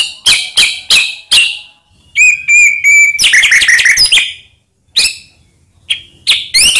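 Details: White-rumped shama song used as a lure to provoke quiet shamas: sharp repeated chips, then rich whistled phrases rising and falling, with a long steady whistle and scattered upslurred notes.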